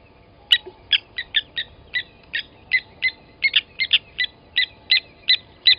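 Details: Blacksmith lapwing at a waterhole in the Sabi Sand, South Africa, August 2020, around an adult killing a chick at the nest: uneven series of metallic clicks, some notes paired, slightly slower and softer.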